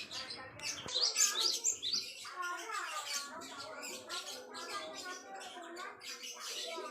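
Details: Java sparrow song used as a master recording for training songbirds: dense chattering, gurgling twitter with high squeaky notes, busiest around the first two seconds, plus a sharp click near the start.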